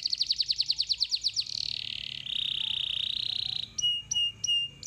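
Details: Canary song used as a lure to get other canaries singing: fast repeated downslurred whistles, then a long buzzy trill, then clipped square notes with a quick falling whistle; clear with no other sounds.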